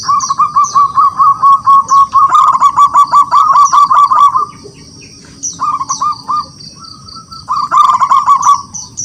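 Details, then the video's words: Long, vigorous run of rapidly repeated rolling coos from a local wild zebra dove calling rivals to sing, then shorter phrases after a pause; high bird chirps ring in the background. "Perkutut lokal alam gacor, suara memanggil lawan untuk bunyi"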